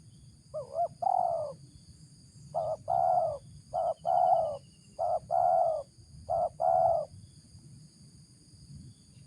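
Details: 'Ngeruk' call of a spotted dove, valued for luring: paired husky coos, a short note then a longer one, repeated in four groups, over a low rumbling background and a thin high hum.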